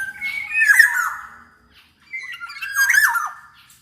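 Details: Black-naped oriole recorded as a lure and training voice to prompt lazy orioles to sing, giving two drawn-out, harsh squawking notes about two seconds apart, each sliding downward.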